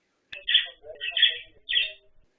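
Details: Pet budgerigar (Melopsittacus undulatus) kept in a pair or small flock gives three loud, piercing, slightly harsh chirps: contact calls meaning "I'm here, where are you?" when birds lose sight of each other, also given in protest.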